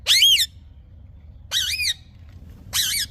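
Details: Green parrot giving three harsh, buzzy squawks spaced about a second apart, each rising and falling in pitch, with a quiet low hum beneath.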